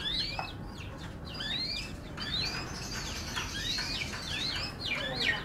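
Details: F1 canary delivering a lively run of clear, slurred whistles that sweep up and down, repeated in quick succession over low background hiss.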